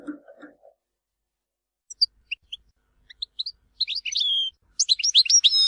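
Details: European goldfinch in the Tizi Ouzou song style from Algeria: faint low blips, then isolated high tinkling notes that quicken into a bright, buzzy twittering phrase with sustained trilled notes toward the end.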